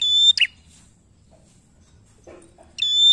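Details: Bar-winged prinia, a vigorous singer used to prompt song from untrained prinias; a whistled note ending in a harsh flick opens, a softer low chatter follows midway, and another high level whistle closes.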